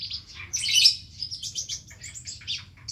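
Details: Van Hasselt's sunbird, called ninja sunbird, singing a full, elaborate song with inserted phrases: a loud high scratchy burst followed by quick thin twittering notes, over a faint low hum.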